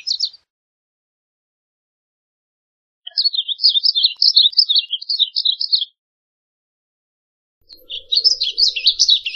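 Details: A varied bunting (Passerina versicolor) sings a rapid, sweet warble of jumbled high notes in bursts of about three seconds, with brief quiet gaps between phrases.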